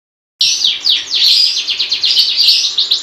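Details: Long-tailed shrike singing in the lively gacor style: after a brief silence, a rapid stream of harsh, descending chattering notes starts abruptly and runs unbroken, with a faint steady low hum behind it.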